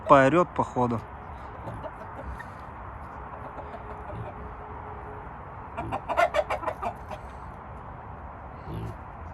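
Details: A rooster, described as a guard rooster that attacked its keeper that day, gives loud, harsh clucking calls in short bursts, with a man talking nearby.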